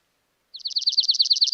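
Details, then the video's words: Dark-eyed Junco of the slate-colored subspecies singing: a rapid, dry trill of quick, even, high notes, about a dozen per second, starting after a brief silence. "That is the song of the junco. And this is a slate colored, but we'll go find an Oregon. It basically sounds the same."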